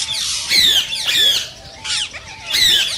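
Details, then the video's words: Indian rose-ringed parakeet calling to encourage others to sing and breed: three loud, piercing, slightly descending screeches about a second apart, with harsh rasping notes between them and a faint steady low hum behind. "صوت ببغاء الدرة الخضراء"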